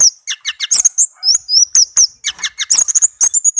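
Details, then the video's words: Melodious song from a tame captive orange-headed thrush: fast, varied high chirps and slurred whistles delivered almost without a break, mixing clear piping notes with quick scratchy twitters. "Anis merah kicau merdu"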